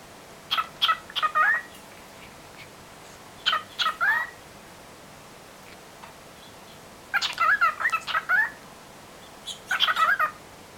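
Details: A pet cockatiel chatters at a phone in short bursts of warbling, speech-like notes with quick upward slides.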